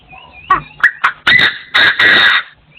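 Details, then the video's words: Partridge crowing, recorded in 2024: a quick run of loud, harsh, rasping notes, three short bursts and then two longer grating calls, with a thin whistled tone before and after. "The latest sound of partridges in 2024 crowing"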